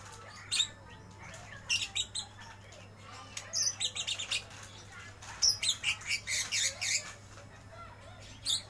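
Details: Lovebirds kept in a bird shop give shrill, chattering chirps in quick bursts, some runs of rapid notes and scattered single tweets, over a steady low electrical hum.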